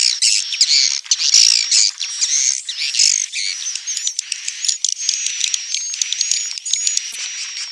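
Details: Edible-nest swiftlet calls to lure birds into nesting: busy high chirping and twittering notes mixed with buzzy bursts, then quick clicks over a thin, wavering high whistle.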